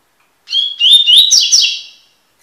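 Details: Sporophila caerulescens, the Double-collared seedeater, delivering its tui-tui song for teaching birds: bright whistled notes sliding upward, repeated rapidly, then a harsh trilled close fading out, no other sounds.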